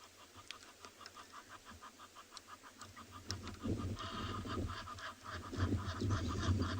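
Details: Egyptian goose at a waterhole in Tswalu Kalahari Reserve, South Africa, at sunset on 11 June 2020, with a hippo nearby, gives a rapid series of harsh, rasping honks like an old car trying to start, over a low rumble.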